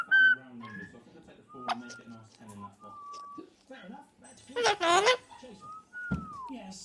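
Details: A talking, whistling mealy amazon parrot gives short level whistles and a loud raspy speech-like burst, then ends on a long downward-sliding whistle. Soft voices murmur indoors.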